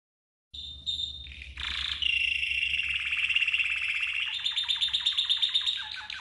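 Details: Red canary training song: a brief high whistle, then a long run of rapid rolling trills and fast repeated chattering notes that rise toward the end, with a steady low hum underneath.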